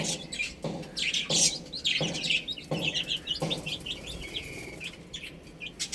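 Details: Baby hens eating and drinking; dull pecking knocks every half second or so, overlaid with clusters of quick high chirps and one longer level peep.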